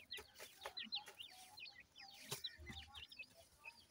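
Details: Grey francolin chicks feeding, giving repeated thin, sharply falling whistled peeps several per second, with occasional taps and a soft low thump.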